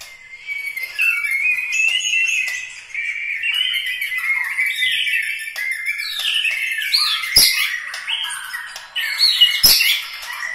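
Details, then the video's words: White-rumped shama, murai batu from Medan, Bahorok, Bukit Lawang, with its characteristic song style: a continuous rich warbled stream of whistled, slurred phrases with sharp high accents, loud and unbroken. "gaya dan ciri khas suwara murai batu Medan Bahorok bukit Lawang asli"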